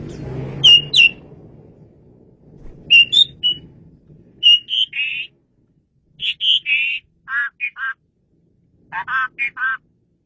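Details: Asian pied starling song for luring birds, clear and loud: short whistled notes and buzzy phrases in bursts, ending with descending warbled notes repeated in groups.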